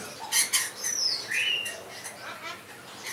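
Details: Blue-bellied roller (Coracias cyanogaster), captive in a bird park on Texel, Holland; short harsh broadband squawks near the start, with thin whistled notes and chatter from other birds around it.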